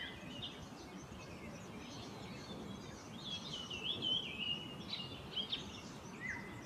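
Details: Golden-fronted leafbird in India gives a varied run of sweet whistles and chattering notes, high and quick, over steady background hiss.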